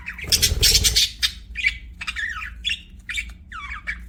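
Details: Budgies chattering indoors, opening with a dense, noisy squawking burst, then a string of short warbled and buzzy chirps with sliding pitch, roughly three per second, above a faint low hum.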